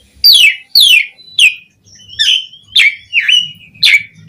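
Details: Asian pied starling, a caged songbird used as a lure to prompt other starlings to sing, giving loud whistled notes that sweep down from high to mid pitch, about two per second with short gaps, some buzzy and slurred.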